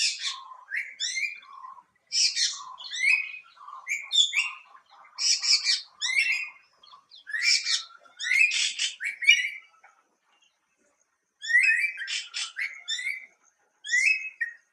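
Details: Song of a greater racket-tailed drongo: bursts of harsh, metallic chirps and buzzy notes in clusters every second or so, broken by short pauses, with fainter lower whistles underneath; a bird known to mimic other species.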